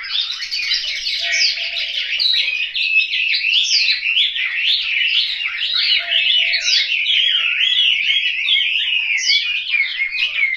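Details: Caged hwamei at a Hanoi home singing steadily for ten seconds, loud tumbling whistled notes strung together in rapid, varied phrases.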